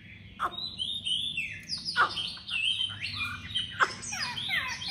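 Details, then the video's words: Tame caged Chinese hwamei with a strident voice, Hanoi: dense, varied song of swooping whistles and quick twittering notes, broken by sharp clicks, over a steady low hum. "Mi thuần vừa về tâm hồn ăn uống giọng đanh"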